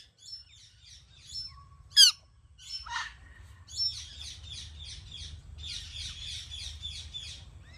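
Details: Rose-ringed parakeet (Psittacula krameri) chirping: quick, harsh, scratchy chirps in rapid runs, with one sharp shriek midway, over a faint low hum.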